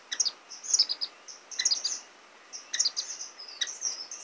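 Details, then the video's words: Orange-cheeked Waxbill (Estrilda melpoda) chicks being fed by parents beg in thin, very high chirps and brief buzzy trills, arriving in clusters about once a second with short quiet gaps. "橙頰梅花雀(育雛)/Orange-cheeked Waxbill(Feeding Baby)"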